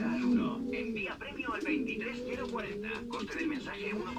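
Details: Male Canary pouter pigeons in breeding condition give low drawn-out coos beneath higher bird chatter and some indoor voices.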